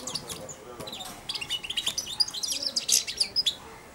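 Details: Young European goldfinch, four months old, caged and hand-fed daily, babbling its early subsong beside the hand: soft, scratchy high twitters and short chirps in loose clusters, no clear phrases.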